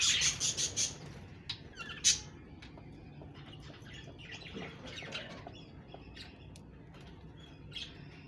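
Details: Budgerigars give a burst of loud, harsh repeated squawks at first, then quieter scattered chirps and chattering over a low background hum.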